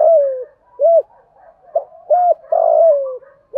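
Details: Spotted dove, kept caged, coo played to prompt a silent caged dove to start calling; low hooting coos around 600–700 in pitch, short arched notes and a longer drawn-out falling coo, clean with no other sounds.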